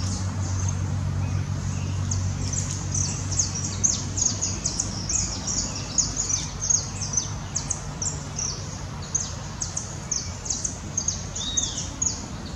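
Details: Blond-crested woodpecker at its nest entrance gives rapid, irregular high thin chips, about two per second, over a steady low rumble.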